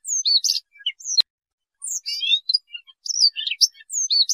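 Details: Siberian rubythroat song used as a trapping lure: quick bursts of high, thin whistles and twittering slurred notes, a sharp click, then a short pause before another varied, scratchy warbled phrase.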